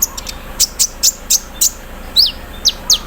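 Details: Olive-backed sunbird kept in a cage, sung in the morning dew: a row of very high, sharp ticking chirps about every quarter second, then three high downslurred whistled notes, quiet background.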